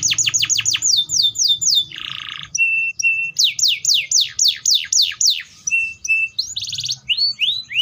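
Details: Canary song of quick falling whistles with a harsh buzzy interlude and short flat notes, followed by a long series of descending slurs and a final mix of rolls and chirps.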